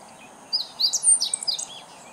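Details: Meadow bunting (Emberiza cioides) singing as if calling out to the neighbourhood, recorded 2014-07-19; one brief phrase of quick high chirps and sharp whistled notes lasting about a second, against a faint steady background hiss.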